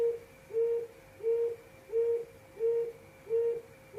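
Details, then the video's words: Six low, mellow hoots from a quail in its 'hồi công' call, each short and flat in pitch, spaced evenly at a bit over half a second, with a quiet constant background hum. "tiếng chim cút hồi công hồi công của chim cút"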